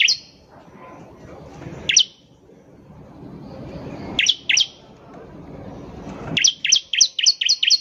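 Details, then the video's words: Bar-winged prinia (ciblek) gacor song meant as a lure to start other birds singing: scattered single and paired high chirps over soft background hiss, ending in a rapid run of about seven ringing notes. "PANCINGAN CIBLEK GACOR || CIBLEK BAHAN PASTI CEPAT BUNYI"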